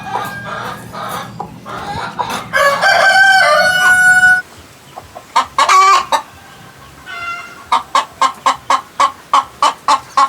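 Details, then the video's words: A chicken making weird noises: scattered calls, a loud harsh squawk sequence with a held note, a couple of sharp bursts, then evenly spaced short clucks about twice a second. "Weird Chicken Noises"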